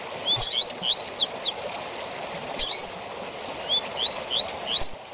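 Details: Tui tui zel zel fibra song of the double-collared seedeater, used to train captive birds: a quick string of upslurred whistles and steep high notes, then a softer run of four rising whistles, over faint water noise.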